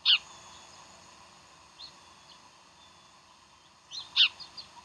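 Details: Bald eagle recorded at Decorah on a January 2012 morning: a piercing high chirp opens, then after quiet, soft lead-in notes and another shrill chirp followed by a small trailing note, over a hissy background.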